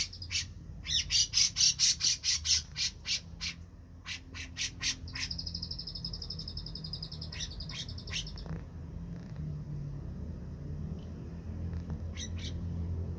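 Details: Black-crested bulbul in full song: rapid bursts of high, buzzy trilled notes, a long sustained shrill trill in the middle, then scattered short notes, over a steady low hum.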